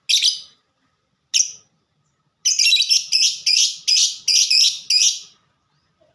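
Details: Lovebird singing in the ngetik (typing) style, described as a fighter: harsh, high chirps, two isolated bursts and then a fast run of about seven scratchy notes, roughly five per second, in a quiet room.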